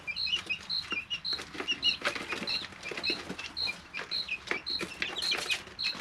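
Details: Three-week-old chicks in a brooder: evenly spaced single high peeps, roughly two per second, mixed with softer chirps, pecking taps and rustling bedding.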